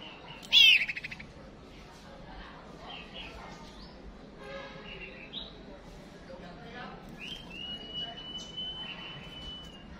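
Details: White-rumped shama sounds meant to rouse a male to fight against a female lure: a loud buzzy burst, scattered chirps and short whistles, then a long level high whistle held for about two seconds, with background hum.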